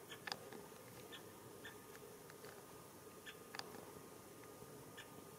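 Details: A male great spotted woodpecker gives two sharp, hard 'kik' notes about three seconds apart, with fainter ticks between, over a low hum, while calling as he searches leafless garden trees for grubs on a foggy early-February morning around 9:15 in Japan.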